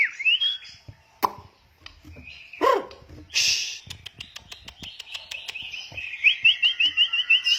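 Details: Oriental magpie-robin being trained, first stage: scattered whistles and slurred notes among loud clicks and tapping knocks, then a rapid series of about ten short upslurred whistles in a row near the end.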